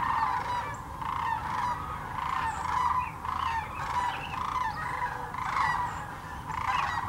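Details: Large migrating flock of sandhill cranes at Birchwood, Tennessee's Hiwassee refuge; bold, rolling bugles burst out in quick succession, about once a second, with faint higher calls above.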